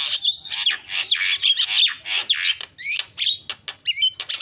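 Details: Javan myna in a varied song intended to agitate other mynas: a dense stream of harsh, grating notes mixed with brief whistled slurs and rising squeaks, with almost no pauses.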